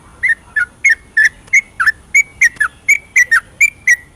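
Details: Yellow-vented bulbul singing a rapid 'ropelan' style song at night, used as a lure to stir lazy, silent bulbuls into song: a brisk run of short whistled notes, about three per second, each dipping or slurring slightly in pitch.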